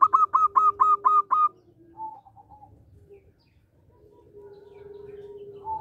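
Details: Local zebra dove with a loud, rhythmic voice, used as a lure for catching birds: a run of six quick bright notes, then softer low cooing and a long steady hum-like coo.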